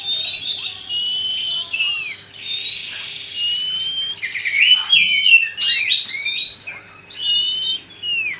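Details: Male and female Oriental magpie-robins singing, used as a lure for catching birds: a continuous stream of high whistled sweeps, rising and falling slurs and buzzy bursts, with a steady faint hum underneath.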